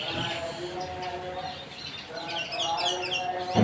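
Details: Singing bird giving a run of quick, high, descending chirped notes in the second half, over a steady droning, tonal background hum.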